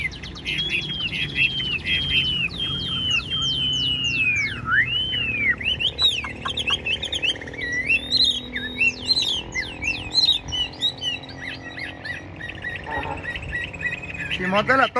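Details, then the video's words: Chinese hwamei kept as a caged songbird, described as 95% tame, pouring out a long, varied song of slurred whistles, rapid sweeping notes and mixed phrases over low background hum. "Đuôi xòe hót không bỏ mỏ, chất giọng cực hay, chim thuần 95% | Hoạt Họa Mi"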